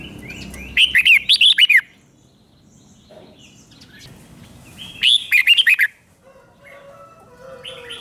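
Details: Two phrases of a Red-whiskered bulbul's five-syllable doubled song from Thailand, four seconds apart, each a rapid string of six or seven loud, liquid, bouncing whistles; softer chirps from other birds fill the gap.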